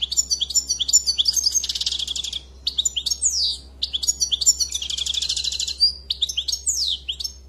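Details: European goldfinch singing a dense, high twittering song of quick chirps and tinkling notes, broken by longer buzzy, rattling passages, continuing almost without pause.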